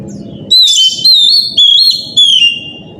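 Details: Oriental magpie-robin song in the morning, used to stimulate other birds to sing: loud, clear whistled phrases that slide and waver downward, repeated about every half second, over a steady low rumbling background noise.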